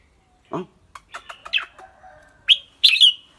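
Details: Red-whiskered bulbul, clear-voiced, giving a low descending note, a few soft chattering ticks, then two loud bright slurred whistled phrases near the end.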